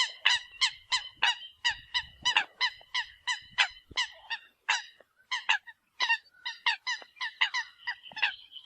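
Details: Eurasian coot decoy call: a dense run of short, harsh, honking notes with bright ringing overtones, delivered in rapid irregular bursts of about 45 per minute, with brief gaps near five and six seconds.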